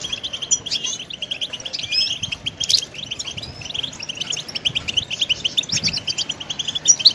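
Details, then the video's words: Goldfinch song for training: lively, continuous high twitter mixing clear chirps, upward-sliding notes and fast buzzy trills, rising and falling in loudness, over quiet low background noise. "Song Goldfinch Training"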